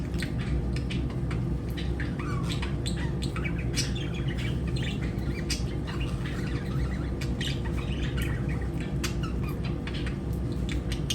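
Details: Chirping lovebirds send out a busy stream of short sharp tweets and clicks, dense and irregular throughout, above a constant low droning background hum.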